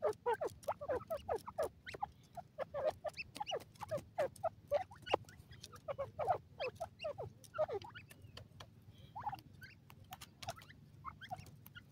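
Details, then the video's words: Black francolin chicks foraging on green grass in the wild; loud, busy chorus of short upslurred peeps from several chicks, mixed with many crisp pecking clicks, over a soft low hum. "cute gora teetar babys in the wild"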